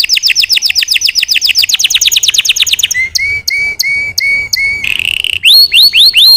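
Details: Canary song used for training: fast trills of repeated high notes, then a row of evenly spaced sharp chirps, a brief buzzy burst, and closing looping whistles, all loud and clear.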